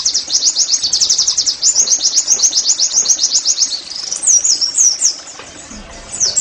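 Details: Oriental white-eye (pleci) in the 'nembak' singing style, played as therapy to make caged birds sing readily: very high, rapid run of short upswept chirps, then a few slurred, descending whistled notes with brief pauses.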